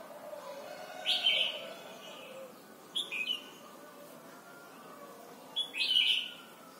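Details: Red-whiskered bulbul from Thailand, played for training young birds to sing: three short whistled phrases, each a bright rising note falling into a warbled flourish, spaced about two seconds apart over a quiet background with a faint low hum.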